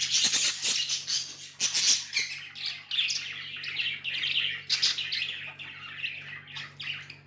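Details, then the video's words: Pet budgerigars in lively chatter: rapid sharp chirps, squeaks and buzzy warbles, loud and nearly continuous, with a low hum behind. "Budgies amazing love & chirping sounds"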